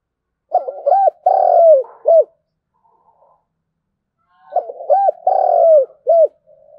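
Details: Spotted dove in 'thúc gù' style, 'thổ đồng' field voice, a lure for wild doves: two matching phrases roughly four seconds apart, each of quick short coos, one long low sustained coo and a final hooked note, otherwise silent.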